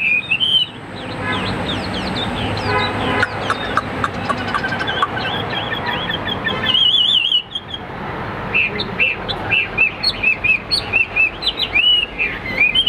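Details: A competing Hwamei, caged and in fighting display, sings amid busy background noise, ending with a clear run of short repeated whistled notes.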